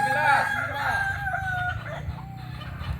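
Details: Kukuak Balenggek rooster of Solok, West Sumatra, giving a short crow. A bright held tone slides slightly downward over arched call notes, then fades against a steady low hum.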